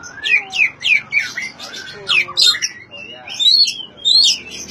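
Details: Oriental magpie-robin singing, a recording meant to coax mute magpie-robins into song. It gives a quick run of loud, sweeping whistled notes and squeaky chirps, each burst about half a second long, with short gaps between.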